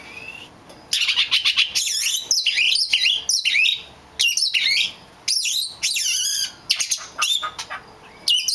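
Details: Rare black magpie robin singing: loud, varied phrases of rich whistles, sweeping slurs and scratchy buzzy notes in bursts separated by brief pauses, with faint background hum.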